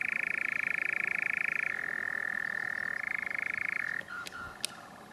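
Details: European nightjar (Caprimulgus europaeus), filmed at Kaaistoep, Tilburg, Netherlands, on 7 June 2018, churring in a fast, dry, mechanical trill that shifts pitch twice before stopping, followed by a few sharp clicks.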